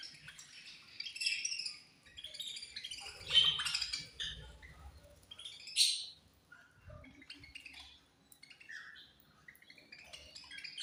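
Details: Budgerigars at food time give scattered high chirps and squeaky warbles amid low clinks and thuds, the calls thinning out toward the end.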